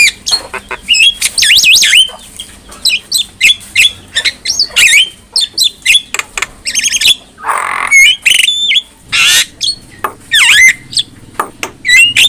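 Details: Black-winged myna in full song as a master for teaching other mynas, a long varied stream of loud squawks, rattling buzzes and looping whistled notes in rapid irregular phrases.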